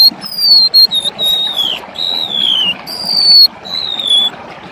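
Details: A golden-bellied gerygone in vigorous full song gives thin, high, wheezy whistles that slide gently downward, about five drawn-out notes in quick succession over a faint hiss.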